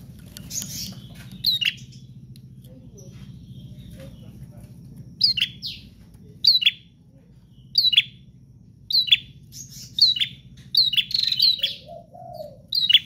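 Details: Spaced, sharp prinia chirps repeated about once a second after a quiet stretch, over a noticeable low hum, with a short lower note near the end.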